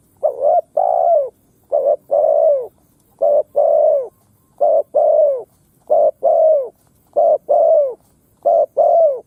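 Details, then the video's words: Spotted dove lure meant to provoke wild doves to fight, cooing rapidly in paired phrases, a short note then a long falling coo, repeated in a fast, regular series roughly every second with no other sounds. "Tiếng Chim Cu Gáy mồi đất gáy kích bổi"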